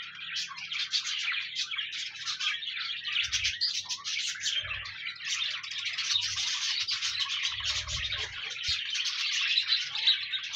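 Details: Budgerigars singing, meant to encourage a lonely pet budgie to sing: dense, continuous high twittering and chattering warble from several birds, with fast scratchy chirps throughout and occasional faint low thumps.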